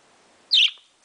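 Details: Baby parakeet kept as a pet, chattering in the morning, gives a single brief shrill tweet, high and slightly buzzy, clipped off quickly, in a quiet room.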